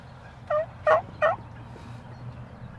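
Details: A male Wild Turkey gobbler, during a hunt in which he attacks a decoy in a mad rage, gives three quick, throaty, gurgling bursts about half a second apart, over a low steady background hum.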